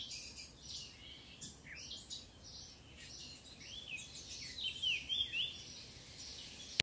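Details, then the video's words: A Eurasian blackcap, recorded in Occitanie, southern France, in 2022, sings a quick, scratchy warble that breaks into clear, fluty whistled notes toward the end, over a busy background of other birdsong. "Le chant de la fauvette à tête noire"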